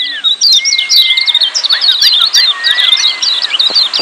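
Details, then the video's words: Noisy group of lemon-bellied white-eyes repeating high, clipped ciak chirps in a dense run, crossed by long smooth whistles and short dipping notes. "Kecial Kuning Ciak Joss RIBUT RAME"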